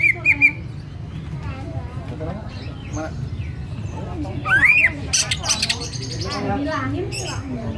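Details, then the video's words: Greater green leafbird (cucak ijo), a champion bird from Karawaci, singing full 'ngetrok' at very loud volume: rising whistled notes and sharp chirps, with a loud slurred whistle near the middle, over steady low background noise. "Suara burung cucak ijo / cucak hijau full ngetrok, volume dasyat!"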